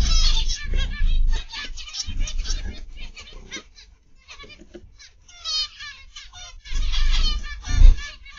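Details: Overlapping nasal calls from many zebra finches in an aviary on the afternoon of 29 November 2021, rising and falling in density, with occasional low thumps and rumble.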